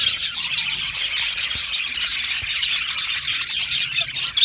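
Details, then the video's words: Colony of Australian budgies singing and chirping, many birds overlapping in a steady high-pitched chatter of short chirps and warbled notes, fairly even in loudness throughout. "Budgie colony sounds | Budgie singing and chirping sounds"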